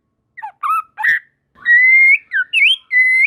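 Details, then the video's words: White-rumped shama (murai batu) singing short varied notes, then long clear whistles held steady and rising slightly at the end, each phrase separated by brief gaps; other shamas join in. "Tanpa Nunggu Lama Burung Murai Batu Lain Langsung Ikut Nyambar Gacor || Voice of Murai Batu"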